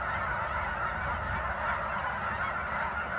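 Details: Geese at Sunset Lake, Guymon, Oklahoma: a dense, unbroken wall of overlapping honks from many birds, blending into a steady roar with no single call standing out.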